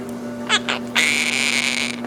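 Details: A pet male monk parakeet (Quaker parrot) that mimics words like "hello baby" and dogs gives two short rasping syllables, then a longer harsh, buzzy utterance like a scratchy mimicked word, over a steady low electrical hum.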